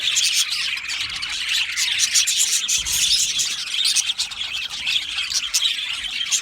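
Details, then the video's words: Many budgerigars singing and chirping in an aviary colony, busy high twitter with rapid overlapping notes and sharp clicks, steady and dense from start to finish. "Budgie singing and chirping sounds"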